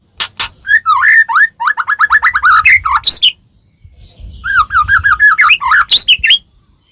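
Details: White-rumped shama, Medan type, singing a full, varied song used to prompt other shamas to sing: fast runs of slurred whistled notes rising and falling, brief sharp chips, a short pause, then another rapid whistled phrase.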